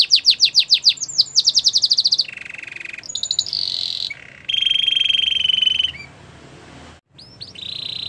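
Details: Belgian canary song opening with a quick run of loud chirping notes, then long buzzy rolling trills, a sustained bright whistled roll and a short high phrase, over a faint low background hum.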